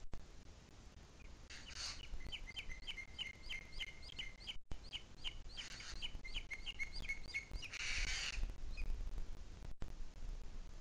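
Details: Booted eagle recorded at 17:53 on 2 July 2021 in the Sierra de Guadarrama, calling in two rapid strings of high, ringing whistles, each note sharp and repeated quickly, with bursts of wind-like hiss between.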